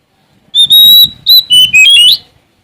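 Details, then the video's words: Sumatran Oriental magpie-robin singing to seek a rival: loud, clear whistled phrases, a long level note, then a short high note and falling and rising slurred whistles ending in an upward flourish. "Suara Asli Kacer Sumatra Gacor Cari Lawan"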